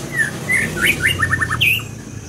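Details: Scarlet minivet song, loud and close: clear whistled slurs followed by a fast series of four descending whistled notes, ending with a bright down-slurred whistle.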